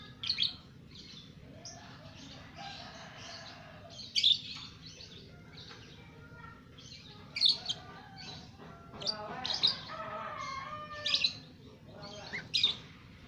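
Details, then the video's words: Two-month-old lovebird in song: a long run of harsh chattering chirps with occasional louder sharp notes every second or two and brief whistled tones, against steady low background noise. "Love Bird umur 2 Bulan Sudah Ngekek"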